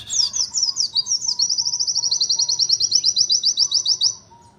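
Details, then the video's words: White-eye in 'nembak' style with unusual song material: a fast series of high, sharp notes descending in chevrons, then a long rapid run of even ticking notes, over a faint low hum. "PLECI NEMBAK UNIK"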